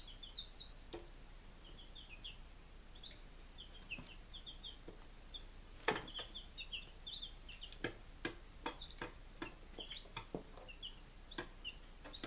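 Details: Five-day-old chicks, Lunenburg, Massachusetts, 23 July 2017, keep up a chorus of thin, shrill peeps through the clip, cut by many sharp pecking clicks and taps.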